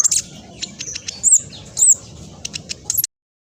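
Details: Black sunbird of the speckled type, an energetic singer used to lure other birds: scattered high, thin chirps and two bright upslurred squeaks, then silence at the end.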